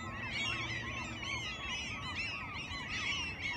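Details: Gulls in Alaska, repeated arched mewing cries from many birds overlapping rapidly, with a steady low rumble.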